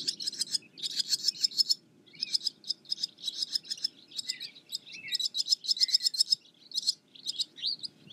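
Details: Barn swallow twitter, bursts of quick clicking chirps in short series, broken by brief gaps, with a few lower slurred notes mixed in.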